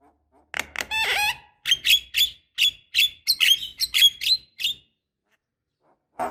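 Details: Black-winged starling lure sound for encouraging a young bird to sing: one long raspy, buzzing call, then a string of short, sharp, high chattering notes, ending in quiet.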